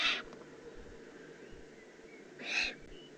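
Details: Eifel, Germany, June 2016, juvenile Eurasian eagle-owl: two rough, wheezing hisses, one at the start and one about two and a half seconds later, against steady faint background noise.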